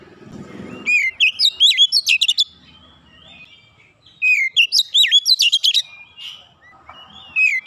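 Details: Oriental magpie-robin, a young kacer, singing 'nembak rapat': rich swooping whistled notes interleaved with sharp rapid clicks, in two bursts about three seconds apart. Faint low rumble between phrases.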